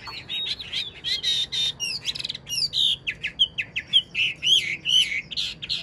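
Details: A wild-caught adult Chinese hwamei kept as a cage bird sings a rich, varied run of loud whistles, slurred notes and quick trills, high-pitched and nearly continuous throughout.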